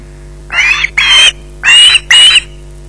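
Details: Osprey with a fish at the Loch Garten nest uttering four piercing, raspy screeches in two pairs, each call about a third of a second long.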